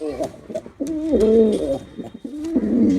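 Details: Performing male pigeon delivers low, throaty coos, one long swelling phrase followed by a shorter one, with soft clicks in a small room.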